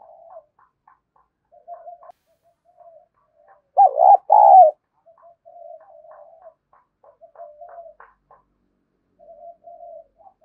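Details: Spotted dove giving kích bổi lure cooing. Soft, scattered low notes run throughout, broken by one loud pair of rich, warbling coos about halfway through.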